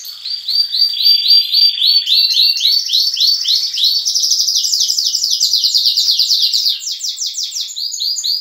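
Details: Young and adult canaries singing together in a breeding room at dawn, chicks stirred up by the adults; dense overlapping trilled phrases, rapid repeated rising notes and buzzy rolls, several birds at once with no other sounds.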